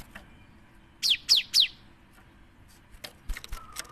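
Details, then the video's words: Cinereous tit used as a singing lure: one phrase of three bright descending notes in quick succession, then scattered clicks and a faint low whistle against steady background hiss. "PANCINGAN SUARA GELATIK BATU GACOR"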